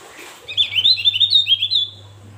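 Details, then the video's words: Javan grey-throated white-eye in lively song: a quick run of sharp, chirpy twitters, rising and falling and lasting about a second, over a steady low electrical hum. "Opior Jawa masteran"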